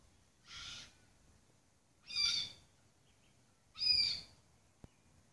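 A red-tailed black cockatoo gives three harsh, grating screeches, each under half a second, spaced about every one and a half seconds, over a quiet background.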